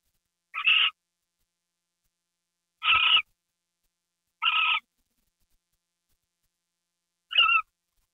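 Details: Owl screeching on a January night at 9:33 PM while getting a mouse treat: four short harsh, raspy hissing screeches, spaced two to three seconds apart, with silence between them.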